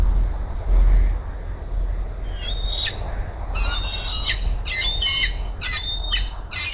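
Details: Female bald eagle at the Hays nest spots the male far off carrying a rat and calls: a run of high, piping squeals that grows busier in the second half, over steady low-frequency rumble.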